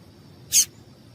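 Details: A lone quick, piercing high chip from a female yellow-bellied seedeater, a call used to get the male singing, over quiet background hiss.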